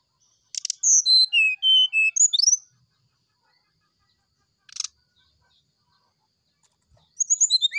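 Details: Brown-chested jungle flycatcher in morning flute-like song: a click, a series of loud whistled notes descending in pitch, a quick rising slur, a long pause with another click, then a fresh burst of high whistles.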